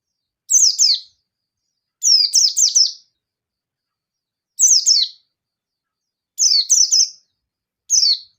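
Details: Local yellow-breasted Oriental white-eye in agitated 'ngalas nembak' style, calling out a rival: five bursts of high, sharp, downslurred chirps, two to four notes each, spaced about one to two seconds apart against a silent background.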